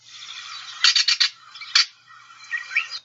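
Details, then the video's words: Gray Catbird giving its ratchet call, played back from a field-guide recording: a dry, harsh quick burst of four rattling notes, then a single grating note, over a soft rustling hiss. "And the final call that I'd like you guys to know about the gray catbird is the kind of ratchet call that they produce."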